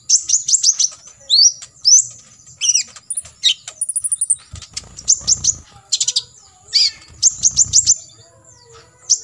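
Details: Olive-backed sunbird singing a full 'tembakan isian' song of rapid filler bursts, recorded as a model for contest birds to copy: very high, thin chirps, sharp downward sweeps, buzzy trills and quick stuttered series, almost continuous.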